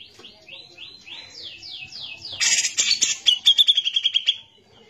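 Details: Grey-cheeked bulbul, called cucak jenggot, delivering 'gacor' song for tutoring other birds. Six or so falling slurred whistles are followed by a loud raspy burst and a fast string of clipped repeated notes.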